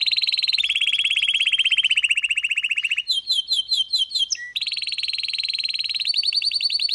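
A canary sings rapid rolling trills, a long high rattle of fast repeated notes, then a burst of sharp chirps and another quick trill, with no other sounds.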